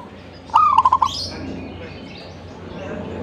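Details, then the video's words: Zebra dove singing: a single phrase of a rising lead coo followed by four quick, beaded notes, then quiet background hiss. "gacornya perkutut ini"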